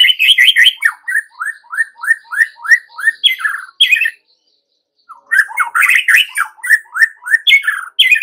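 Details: White-rumped shama lure song aimed at making young forest shamas sing: long runs of rapid, evenly repeated slurred whistles, a pause, then another energetic series of chirps and whistles.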